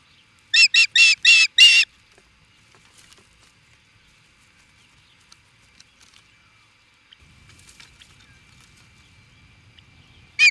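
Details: Osprey in Charlo, Montana, USA, facing an intruder: six fast harsh yelps in under two seconds, then near silence with a low rumble, and one final cry at the end.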